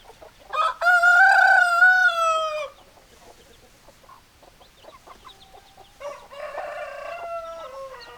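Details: Rooster crowing: a loud, drawn-out harmonic crow of about two seconds that dips at the end, followed by quiet clucking and then a second, softer, descending crow near the close.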